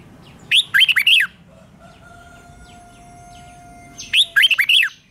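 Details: Red-whiskered bulbul being trained to sing in the morning, in the fired-up competition singing style: two loud, quick phrases of four to five slurred, warbling whistled notes about three seconds apart. A faint steady hum runs between them.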